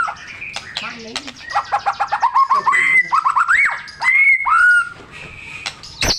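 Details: Shama song played to trigger a reluctant bird: a rapid series of stuttering notes, then clear upslurred and downslurred whistles near the middle, ending in a sharp high click.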